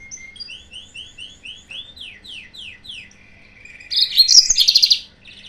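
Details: Yellow-fronted canary singing, a recording used as a lure to provoke rivals. Soft series of quick downslurred whistles, about three per second, gives way to a loud burst of dense twittering and a rapid trill near the end.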